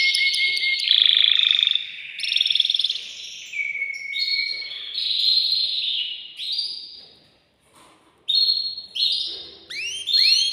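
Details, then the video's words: Male canary singing to stimulate a female to mate: varied warbled tours and long whistles, a short pause, then rapid rising sweeps repeated at the end. "تغريد ذكر كناري هائج يريد تكسير القفص يحفز الأنثي لتزاوج"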